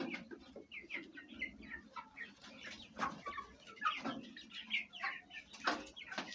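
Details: Domestic hens with young chicks, Fayumi chickens of Egyptian origin kept at home, eating and fighting; many overlapping short clucks and high chirping peeps from several birds, with scattered sharp knocks and some wing flutter.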